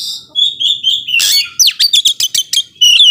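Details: Oriental magpie-robin in lively full song, said to provoke slow-tempered rival birds; clear whistled slurs followed by a fast run of sharp repeated chips and a final rising whistle.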